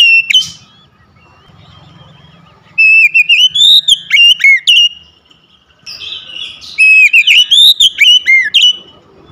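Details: Captive home Oriental magpie-robin singing loudly: a short whistle, a pause, then two long bursts of rapid varied whistled notes, rising slurs and buzzy chatter, recorded to coax a non-singing bird into song.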